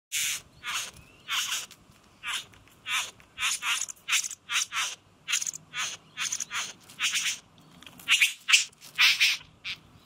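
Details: Male satin bowerbird courting a female on a suburban street verge in Australia, October 2018, at a bower filled with blue plastic. Harsh, buzzy rasping bursts follow each other irregularly, about twenty in ten seconds, with louder grating notes near the end.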